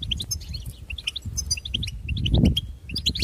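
A goldfinch twitters in a rapid, tinkling run of short high chirps and trills, with a low rumble and soft thumps underneath.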